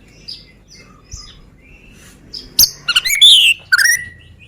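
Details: White-rumped shama of the Medan type, black-tailed and long-tailed, a lure recording to provoke other birds to sing: soft scattered high chirps at first, then a loud burst of sharp whistled and trilled phrases in the second half.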